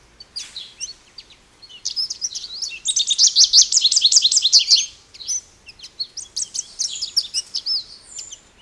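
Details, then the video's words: An American goldfinch delivers an extended song, scattered high chips building into a long fast trill of bright twitters, then looser warbled notes. "American Goldfinch Bird Call Song | Goldfinch Bird Singing | Goldfinch Bird Sounds"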